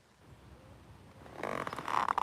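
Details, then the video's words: A great spotted woodpecker in the UK on a windy day gives loud, sharp, clipped 'shouty' calls in a quick burst after a second of quiet outdoor hush. "So this woodpecker we're hearing is a great spotted woodpecker."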